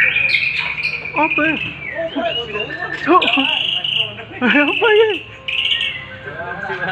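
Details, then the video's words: Sharp white-rumped shama song meant for training competition birds: varied whistled phrases with quick down-slurred and looping notes, bursts of high chattering trills and brief pauses between phrases. "Masteran murai batu suara tajam"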